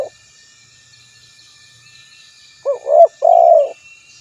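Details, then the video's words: Spotted dove call recorded for luring, calling a rival: after a quiet stretch, a low looping coo followed by a longer steady hummed coo, with faint high background hiss. "Suara Burung Tekukur Memanggil Lawan"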